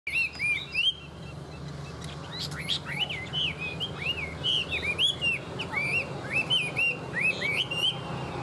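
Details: A tame Chinese hwamei sings a fast, varied run of loud, slurred whistles that swoop up and down, with a steady low hum behind.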